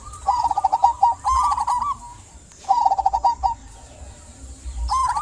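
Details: Local zebra dove, used as a lure for silent doves, repeats short bursts of quick, clipped cooing notes ending in a longer coo, each phrase followed by a pause of about a second.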